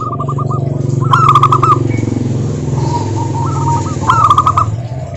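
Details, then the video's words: Local zebra doves singing, used as a lure to provoke other doves into song: rolling, trilled coos in bursts, with several birds overlapping, over a steady low rumble like passing traffic. "Suara Burung Perkutut Lokal Gacor OBAT MACET BUNYI, pancingan perkutut agar bunyi jamin NYAUT EMOSI"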